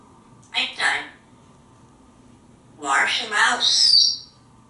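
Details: Talkative African grey parrot indoors on a shower perch in a bathroom, practicing alliterative words; two raspy, speech-like phrases, the second ending in a thin, high whistled note, in a quiet room.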